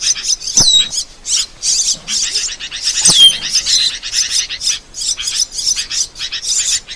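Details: Asian glossy starling master recording: steady high-pitched twittering in rhythmic bursts, with a pair of clear falling whistles near the start and another around the middle.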